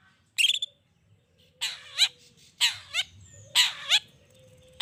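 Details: Long-tailed shrike lure to provoke answering shrikes: harsh chattering phrases ending in rising twangy notes, repeated about once a second, with a low whistled tone beneath.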